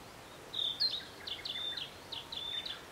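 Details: Song of a Narcissus flycatcher recorded at Matsunoyama hot spring, Japan: sweet high whistles and rapid two-note slurs repeated in short series, with gentle background noise.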